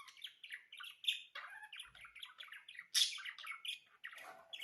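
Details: Budgerigars singing loudly, a busy chattering warble of clicks, chirps and short squawky notes without pause, one harsh burst near the middle.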